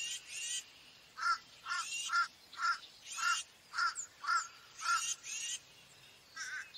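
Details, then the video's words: Tufted titmouse giving harsh, raspy, noisy calls repeated roughly twice a second in a steady series of about ten notes, each a short scratchy burst, with a faint high bird note in the background. "Tufted titmouse call / song / sounds"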